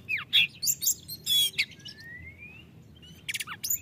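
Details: Oriental magpie-robin in loud, open ngeplong-style song, used to provoke reluctant birds into singing: scattered sharp chips and buzzy bursts, then a long thin whistle rising slowly, followed by more quick high notes over a low background hum.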